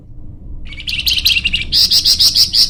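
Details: Flamboyan bird song for training and luring birds: rapid high twittering that rises into a loud, steady chain of shrill, buzzy notes repeated several times a second.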